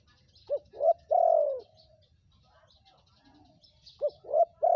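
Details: Spotted dove in vigorous voice, used to lure wild birds: a short rising note, a second coo and a long drawn-out falling croon, then a pause and the same pattern starting again. The background is calm.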